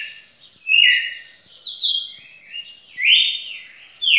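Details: Champion red-cowled cardinal singing in a record bout of over two minutes; clear whistled phrases sliding between mid and high pitch, with uneven gaps of about one second between them, and a quiet background.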